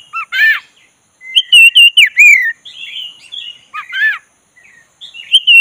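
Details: Kacer dada hitam, the black-breasted Oriental magpie-robin, provoked into singing: harsh chattering notes, then sweet looping whistles and falling slurs in bursts with brief silent gaps between.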